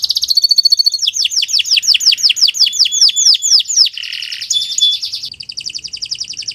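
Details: Canary with a varied training song: a quick trill, a long string of curved whistled sweeps, a short buzzy patch and high sliding notes, ending in a rapid trill.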